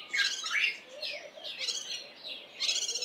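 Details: Early-morning alarm from a Cape white-eye that spotted a spotted eagle-owl perched on a roof near its foraging spot: rasping, buzzy chatter in four uneven bursts, somewhat distant, with soft low notes beneath.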